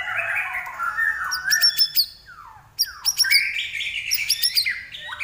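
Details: Common iora singing energetically (gacor): warbled whistles mixed with harsh, rapid clicking notes, a brief gap, then more mixed chatter and whistles.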